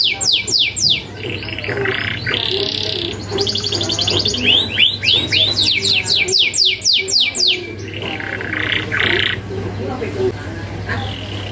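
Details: Domestic canary in full, sharp rolling song, used to train young canaries. Quick downward sweeps repeat in bursts, broken by a buzzy rattling trill and short whistled phrases, with a steady low hum behind.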